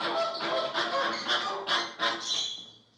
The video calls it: American Flamingo Calls